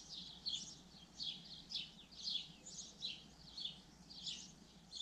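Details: Common linnet song made of rapid twittering bursts, each short chirpy phrase coming roughly every half to three quarters of a second, bright and high-pitched, over a soft steady low hum.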